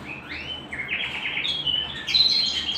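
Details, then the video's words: Canary at home giving a brief rising run of chirps that builds into a bright trilled phrase, with a low hum behind. "canary bird - canary singing - canary sounds - canary singing at home - beautiful canary birds"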